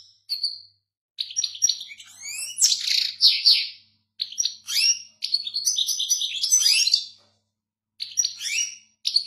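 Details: European goldfinch singing a lively, varied song of high twittering phrases, quick trills and short whistled notes in bursts separated by brief pauses, with no other sounds present.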